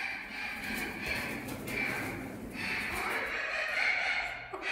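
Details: Young captive-bred Spix's macaws, three to six months old from the 2020 breeding season in a group enclosure, give harsh, raspy screeches, several overlapping in a near-continuous grating chorus, ending with a sharper squawk.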